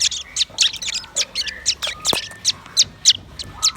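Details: Red-billed nuthatch with white-rumped shama: a fast, steady series of sharp, high chipping notes, roughly three per second, with a brief low whistled note and faint softer whistles underneath.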